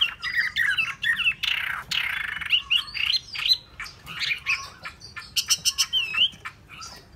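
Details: Hwamei song made of harsh, scratchy phrases mixed with sweet whistled slurs, followed by a run of sharp clipped notes and looping whistles near the end.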